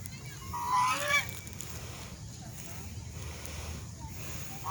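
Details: A swan utters one loud, rising then falling nasal honk, followed by quiet ambient hiss and a faint call at the end.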